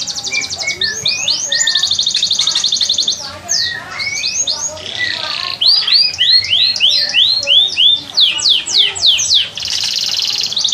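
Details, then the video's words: Young sanger bird, kept and cared for three months, practising its song: a dense run of high rising whistles and rapid trilled notes, many short upswept phrases packed closely together with brief pauses. "Burung sanger..belajar bunyi..."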